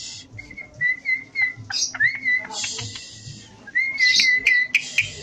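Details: Javan pied starling in lively song: sustained level whistles and rising slurs mixed with rasping, scratchy bursts and sharp clicks, delivered in a busy, irregular run. Low background hum underneath.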